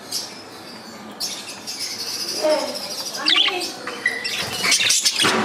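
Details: Budgerigars chattering in the morning in a rapid, scratchy warble mixed with bright, high chirps and squeaks.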